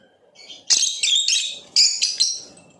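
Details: Blue Opaline lovebird chirping: a series of sharp, buzzy high-pitched chirps in several bursts, some short and clipped, others drawn out and harsh, over a faint low background hum.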